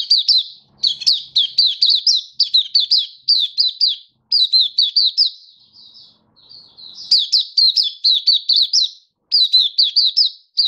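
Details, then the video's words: Hobby-kept oriental white-eye (mata puteh) in happy display song, recorded 24 February 2023: long streams of fast, high, sweet chirps with upward flicks, broken by brief pauses and one quieter, thinner warbled passage. "Mata Puteh Happy Buka Sing"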